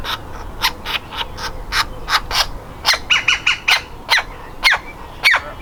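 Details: Nestling woodpecker ready to leave the nest, trying desperately to get out of its nest hole: loud, harsh broadband calls in an uneven series, with clusters of quicker, thinner squeaks between them.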